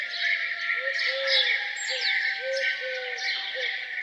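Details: Morning chorus of songbirds around a farmhouse: many overlapping high chirps and twittering trills, with a lower repeated short rising-falling note about every half second underneath, steady throughout.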